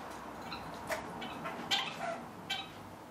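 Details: Red-fronted parakeet feeding on bird pizza in captivity gives brief, scratchy chirps, around four notes within three seconds, uneven in spacing, against low room noise.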